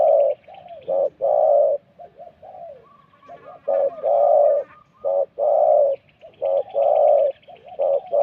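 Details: Spotted dove calling during Thai decoy dove luring; strong throaty coos repeat roughly every second with softer notes between, while faint high chirping runs in the background.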